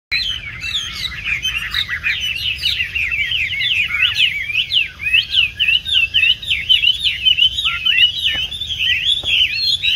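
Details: Tame caged Chinese hwamei of the 'tam hoàng' type, with yellow legs and bill and a large body, kept for stand and café singing. It delivers a dense, continuous warbled song of quick rising and falling whistles with no pauses.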